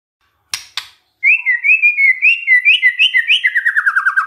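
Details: After two sharp clicks, a white-rumped shama sings a lure song meant to draw song from other shamas: steady whistles that speed into a rapid trill of repeated falling notes.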